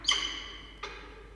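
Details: Falcon at the nest on 6 October 2023 at 16:43, two young chicks newly hatched: a loud harsh call with a long echoing decay, then a softer second call about three-quarters of a second later.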